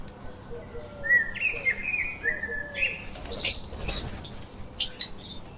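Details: Lovebirds chirping: a run of high, slightly rising whistled chirps over the first three seconds, followed by rustling and fluttering noises with scattered sharp clicks and brief chirps.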